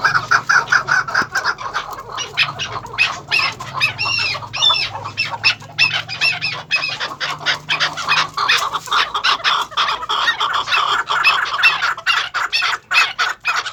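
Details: Farm-kept maskati cross chukar breeding pairs, first and second cross, calling together in a busy overlapping chorus of harsh clucks and rising chuk notes, with some sharper high squeaks and a low background hum.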